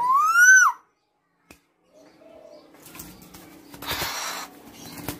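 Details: Tame female black-naped oriole giving one loud, rising, slightly nasal whistle with strong overtones that swells and then drops abruptly. Quiet follows, then faint soft notes and some rustling noise.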